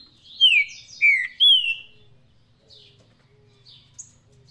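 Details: Saffron-billed saltator, a bird known as Faísca, singing the Paraná song style: three loud descending whistled slurs in quick succession, followed by softer faint chirps and a low hum underneath.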